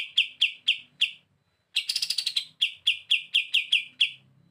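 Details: Bren beset style song from a kapas tembak used as a tutor bird: four crisp chirps, a short gap, a rapid harsh rattle, then a steady string of clipped, ringing notes.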